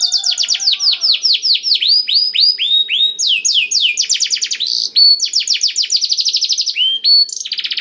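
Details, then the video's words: Black-throated canary song used to stimulate other canaries to sing: a long series of repeated downswept whistles, slowing and then speeding into rapid trills with a few sharp inserted notes. "KENARI ISIAN BLACKTHROAT #181 || VOICE OF CANARY"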